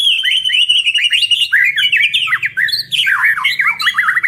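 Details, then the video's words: White-rumped shama duo singing loudly: a sustained, wavering high whistle, then dense twisting, squawky and slurred phrases delivered rapidly without pause. "Duo GACOR !! Burung MURAI BATU Full isian MASTERAN PANCINGAN"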